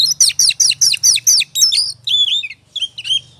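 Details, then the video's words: Oriental magpie-robin in full ngobra song, played as a lure to provoke singing: a rapid run of about eight descending whistled notes, then buzzier, varied phrases with short pauses; a faint low hum underneath. "Pancingan suara kacer ngobra,,pasti emosi dan gacornya terpancing.."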